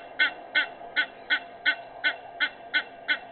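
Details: Egyptian goose honking on 18 May 2019 at 06:25: ten loud, harsh, evenly spaced honks in just over three seconds over faint background noise.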